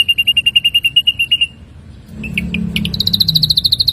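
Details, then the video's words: Ashy drongo, a training recording for songbirds: a fast even trill of clear high pulses runs about one and a half seconds, then a pause and a few scattered notes before a higher rapid pulsed trill resumes. "materi masteran burung srigunting abu - abu"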